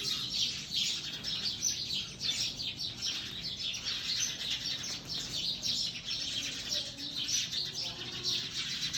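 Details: Steady sparrow chorus of many high, rapid chirps blending into a busy twittering wash, rising and falling in loudness throughout, faint low background hum.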